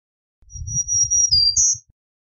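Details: Black-throated green warbler singing a long, thin, high steady note, followed by a slightly lower note and a short, higher buzzy ending, with a soft low rumble underneath.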